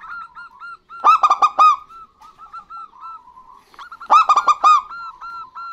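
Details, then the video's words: Local zebra dove pair, female and male, singing in reply to each other for luring birds. Two loud runs of rapid, ringing coo notes stand out three seconds apart, with gentle, even cooing filling the gaps. "Perkutut Lokal Gacor Betina Dan Jantan Bersahutan Ampuh Untuk Pancingan"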